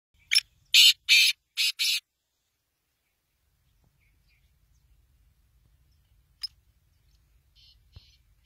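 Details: Black francolin calling: five harsh, high grating notes in a quick uneven burst over about a second and a half, then near silence with a faint click and a soft scratchy sound near the end.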